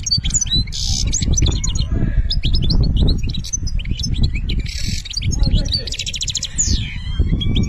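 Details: European goldfinch, Algeria, singing its benna style: unbroken stream of bright, rapid twittering notes with several harsh buzzy bursts and a drawn-out falling slur, above loud low-pitched rumbling.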